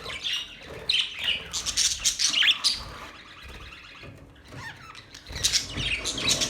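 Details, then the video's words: Parrot chirps come in a lively run of whistled and scratchy notes, then drop to a quieter lull before soft chattering picks up again. "Parrot chirping sounds"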